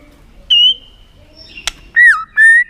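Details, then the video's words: White-rumped shama with a clicking tail-flick display meant to excite a contest bird. A sustained clear whistle, a sharp dry click, then two whistled notes, one dipping down and one held level. "Chòe lửa tạch đập đuôi kích thích lửa lên lửa rất nhanh kích chim hót đấu hiệu quả"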